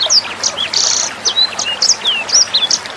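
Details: A sanger bird in a brief 'nembak' tutor song for teaching songbirds. It opens with high chirps, then a short buzzy rasp and quick whistled slurs follow, all over the soft hiss of flowing water.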